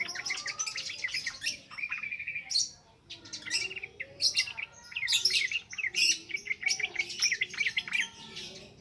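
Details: Yellow-vented bulbul in non-stop ngropel ngalas song, meant as a lure for training young birds; bubbly, chattering phrases of quick chirps and short whistled slurs, repeated in near-continuous runs with a brief lull around the third second.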